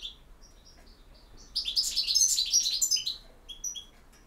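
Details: European goldfinch, campero song: soft high twitters build into a loud, rapid cascade of liquid, jingling notes and trills lasting about one and a half seconds, then fading chips.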